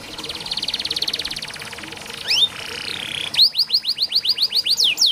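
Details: Canary song for birds reluctant to sing: a buzzy rolling trill, two sharp rising notes and a nasal tone, then a run of quick descending whistled slurs.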